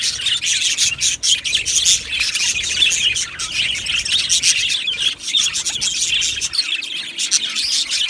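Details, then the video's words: Budgie colony kept in an aviary, with constant high-pitched chirping and warbled chatter from many birds overlapping throughout. "Beautiful Budgies Singing and Chirping Sounds"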